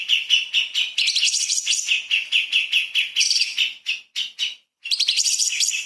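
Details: Light-vented bulbul performing fast 'tembakan' song used to train magpie-robins. Dense, rapid chattering notes with high shrill flourishes and a couple of brief breaks near the end.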